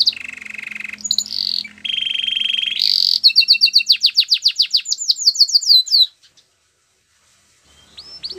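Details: Canary in song to encourage a quiet canary: buzzy rolls at changing pitches, then a fast series of sharp descending chips, before the song stops and a few faint notes return.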